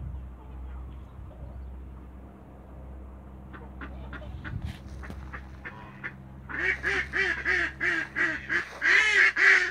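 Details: Toulouse geese in a backyard: scattered soft calls at first, then a loud run of harsh, nasal honks repeated roughly every half second, growing louder toward the end.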